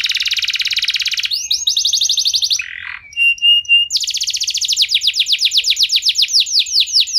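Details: Canary singing as a lure to set other canaries singing: a fast buzzy trill, then rapid repeated rising-falling sweeps, a short rough burst and pure whistled notes, ending in long runs of quick downward-curving chirps.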